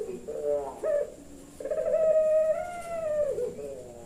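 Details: Puter pelung turtle dove, a caged bird from a breeder in Kebumen, Central Java, in the forceful 'nembak' calling style: drawn-out, mellow, harmonic coos rising and then falling, with a short lower coo before a long sustained phrase.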